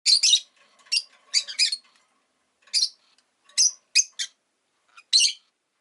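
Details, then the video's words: Rosy-faced lovebird chirping, with harsh, broadband shrill calls in quick bursts: a cluster of three to four, then single and paired chirps spaced about a second apart over six seconds, with a faint hum in the background. "Lovebird Chirping Sounds"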